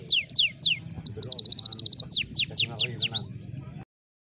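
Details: Canary in 'dor'-style tutor song used to get other canaries singing: loud descending whistles, a fast rattling trill, then more spaced sweeping whistles, with a soft human voice underneath before the sound cuts off.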